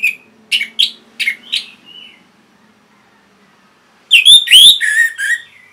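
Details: Orange-headed thrush song meant to spur caged birds into singing, northern Bali: several short sharp whistled notes, a pause of about two seconds, then a loud burst of rich, slurred whistles over a faint low hum.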